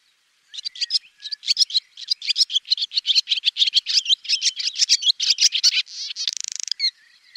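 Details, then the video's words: Swallow warbling in a long steady stream of quick chirping notes, ending with a dry buzzing rattle and a final chirp. "SWALLOW BIRD Sound Effect"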